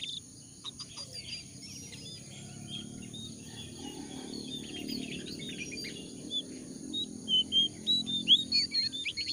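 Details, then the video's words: Lure recording of jongkangan for wild-caught birds: quiet opening with faint chirps, then louder high whistled notes repeated about once a second toward the end, with a soft low rumble and steady hiss beneath. "pancingan ampuh untuk burung jongkangan bahan"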